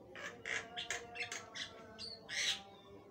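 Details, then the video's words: A Javan myna sings a long, full run of harsh, grating squawks, several each second, broken by one brief clear whistle; a faint low hum lies underneath. "jalak kebo gacor, suara mewah gk ada duanya"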